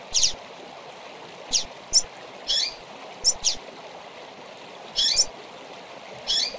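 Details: A female seedeater (papa-capim) chirps and calls with short, high, sharp chips, single or in quick pairs, at an uneven pace over a steady rushing background like running water.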